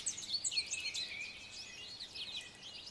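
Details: American goldfinch, a male perched on a branch, sings a brief burst of high, sweet twitters with a longer slurred note that dips, then thinner chirps trailing off against light background noise.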